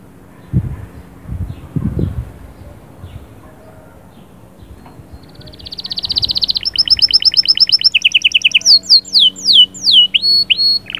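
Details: Canary singing to ready the female: soft low thumps at first, then a steadily building fast trill of repeated high pulses, switching to loud sweeping down-slurred notes at the end.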